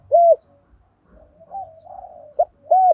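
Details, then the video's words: Spotted dove used as a decoy to provoke wild birds: a loud arched coo, a soft low murmuring stretch, a short clipped note, then another strong coo. "Chim cu gáy mồi tiéng thúc gáy gọi kích là bổi gáy luân. chim cu gáy kích bổi nhanh nổi gù"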